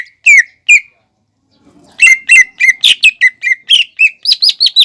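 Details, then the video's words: Greater green leafbird in full song, used as a lure to coax a young bird that is learning to sing: two sharp whistled notes, a pause, then a rapid run of about a dozen bright, slurred chirps. "PANCINGAN CUCAK IJO GACOR UNTUK MEMANCING CUCAK IJO BAHAN BELAJAR BUNYI"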